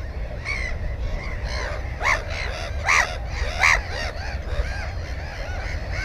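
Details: Black-headed gull beside a nest with an egg and a chick, 15 May 2016, GoPro 4: three strong rasping calls spaced under a second apart, with softer background gull cries and low wind rumble.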